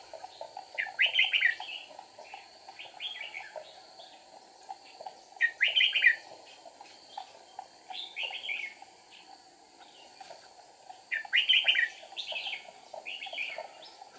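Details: Red-whiskered bulbul singing as a decoy during trapping, 8 April 2019, with wing-flicking and tail-wagging: rich warbled phrases repeated roughly every five seconds, shorter notes between, over an unbroken faint hum.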